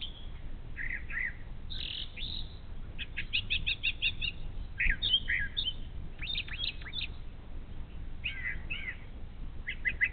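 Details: Brown thrasher singing in the morning near a Bald Eagle nest along the Little Miami River, Ohio: varied phrases, some rapid stuttering notes, others short slurred whistles, separated by brief pauses, over a steady low rumble of background noise.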